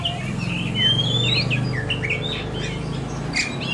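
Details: Oriental magpie-robin of the poci type, used as a therapy recording, singing loud varied whistled phrases: rising slurs, quick twisted notes and short trills in a continuous stream over a steady low hum.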